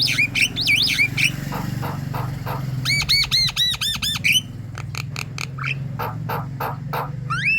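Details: Javan myna singing energetic 'gacor' chatter as a lure to get other mynas singing: looping whistles, a fast run of bouncing arched notes, then spaced harsh clicks and a rising whistle, over a low steady hum.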